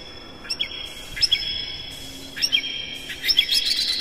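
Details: Energetic Oriental magpie-robin song packed with mimicry, meant to stir up other magpie-robins: clear drawn-out whistles broken by sharp chips, in bursts roughly every second, building into quicker notes toward the end.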